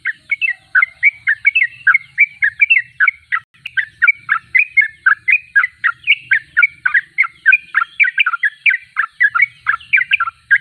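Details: Gacor, or persistently singing, sooty-headed bulbul (trucuk) pouring out a long, dense series of bubbly chirps and short slurs, about four notes a second, with faint low rumble at times.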